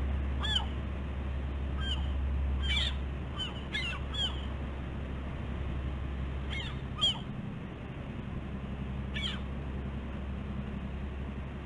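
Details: Two bald eagles at a nest on Catalina Island's West End, California, on the morning of 15 August 2016. Clusters of shrill, piping chitters come fast early on, then sparser single squeals, all over a steady low drone.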